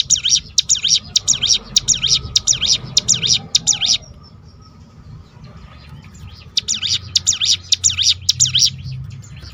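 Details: High, rapidly repeated dipping notes of a hill prinia's 'tembakan' roll, meant to provoke singing in other birds. The series stops for about two seconds midway, then resumes over a faint low rumble.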